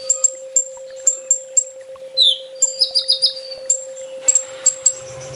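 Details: Kolibri ninja, or olive-backed sunbird, singing a 'full tembak' training song: separate sharp high ticks at irregular intervals, a short buzzy trill in the middle, and a steady low hum throughout.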